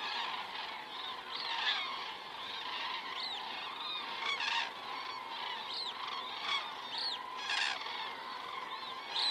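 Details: Common cranes flying over in Estonia at 19:10 on 19 September 2017, crane camera: many overlapping trumpeting calls with distinct arched, rising-and-falling notes standing out over the chorus, plus short clicking bursts.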